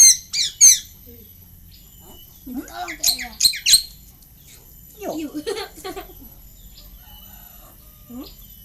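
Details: Harsh, raspy squawks from a tame Asian pied starling that mimics human speech, in short clustered bursts separated by quiet gaps, with lower squeaky, nasal notes mixed in midway and a faint squeak near the end.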